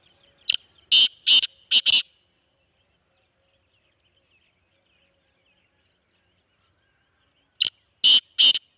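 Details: A Black francolin of the Sindhi type giving its call: a harsh, grating phrase of four to five quick, loud rasping notes, silence, then the phrase repeated, against a quiet background.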